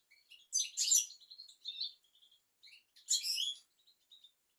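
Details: European goldfinch, recorded as a song tutor for young goldfinches and canaries: two quiet bursts of high, scratchy twittering about two seconds apart, joined by soft thin chirps.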